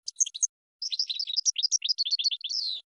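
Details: European goldfinch song for training cage birds: a short twittering burst, a pause, then a rapid run of tinkling notes ending in a drawn-out buzzy descending note.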